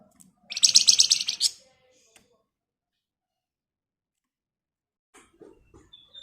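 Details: Javan white-eye singing a lively, rapid-fire ngebren song meant as a lure to prompt other birds to answer. It gives one dense, high chattering trill of about a second, then near silence with faint clicks.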